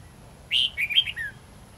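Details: Red-whiskered bulbul singing in the wild-forest style with long, twisting notes, used to teach young birds: one short warbled phrase of bright, slurred whistles sliding down and up, ending in a falling note, over a quiet hum.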